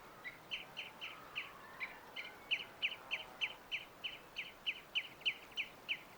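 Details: Green Jay perched in the early morning sun, giving a run of short, sharp, downslurred notes repeated rapidly about three times per second, steady and clipped, over quiet background hiss.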